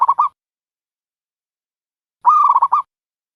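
A dove gives a brief burst of three quick notes, then after a pause a longer run of rapid, soft, rolling cooing notes at a steady pitch. Nothing else is heard.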